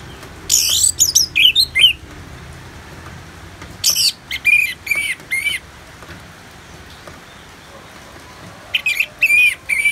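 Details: Orange-headed thrush, ngeplong song used for bird therapy with rain sounds: three spaced bursts of rapid, ringing whistled notes separated by pauses of a couple of seconds, over a steady low hiss.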